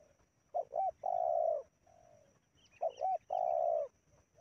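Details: Decoy spotted dove in Indonesia, used to lure wild doves. Deep, soft coos come in phrases of two quick wavering notes and a long drawn coo, with a fainter low coo between the phrases.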